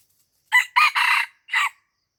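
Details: A red junglefowl crows near houses in Lamteuba, Aceh, where it was lured for trapping. It gives one loud, rasping four-part crow, with three syllables run together and a separate final note, against a silent background.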